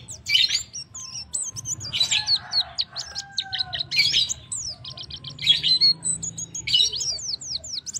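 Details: Male white-eye calling to the female: bursts of dense, high twittering chirps alternate with strings of thin, quick, downslurred whistled notes. A faint low hum runs underneath.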